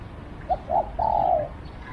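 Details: A single call from a decoy spotted dove luring wild doves: two brief notes followed by one long, even, husky coo.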